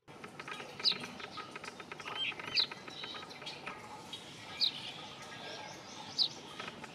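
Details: Brown rock chat giving four crisp, high, downward-slurred notes at uneven intervals of one and a half to two seconds, above faint background chirping.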